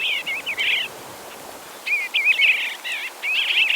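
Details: Bluebird singing: short warbled, wavering phrases in bursts, a pause of about a second between the first group and the following run of quick twittering notes, over steady outdoor background noise.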